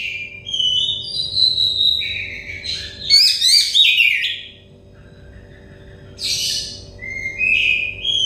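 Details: An Oriental magpie-robin sings for stressed, untrained birds: whistled phrases and a burst of sharp chirps, a near-silent gap, then a harsh note and a rising whistle, with a quiet steady hum behind.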